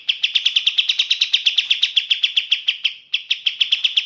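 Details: Sooty-headed bulbul in a rapid, clear rattling run of short sharp chirps, about six per second, steady in pitch, with a brief pause before the series resumes; no other sounds.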